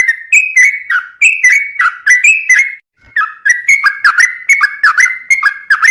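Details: Sooty-headed bulbul belting out quick whistled phrases with slurred, buzzy endings, broken by one brief silence before the rapid run of notes resumes.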